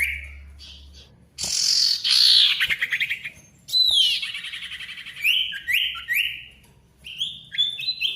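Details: Male ashy tailorbird in full song: a loud rasping chatter, a buzzy stuttering run, a high sweeping whistle, then clear repeated downslurred notes roughly every half second.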